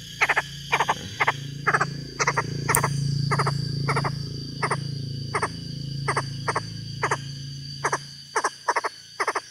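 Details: A captive Chinese francolin, a decoy bird of a species said to live in hill tea plantations, gives loud, harsh staccato notes in short clusters of two or three, about two a second, over a low hum and a man's voice.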